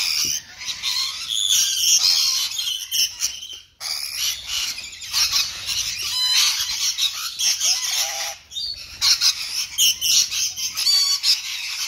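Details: A few rainbow lorikeets eating fresh apple, keeping up a near-continuous chatter of shrill, grating screeches and chips, with brief pauses between noisy bursts.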